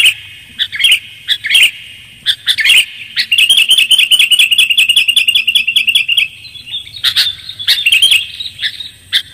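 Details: Bird-trapping lure of the sooty-headed bulbul: scattered high chirps lead into a long run of rapid, evenly spaced chattering notes, followed by louder twittered phrases.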